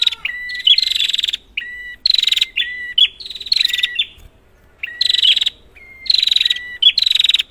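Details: Prinia calling, used to provoke quiet prinias: repeated pairs of short whistles followed by strident, buzzy, trilled bursts, with a short pause midway.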